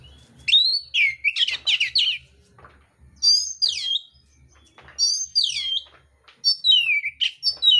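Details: Oriental magpie-robin in contest mode, singing loud, rough, varied phrases. Four bursts of whistled notes come with sharp downslurs, raspy chatter and trills, separated by brief pauses, over a faint low hum.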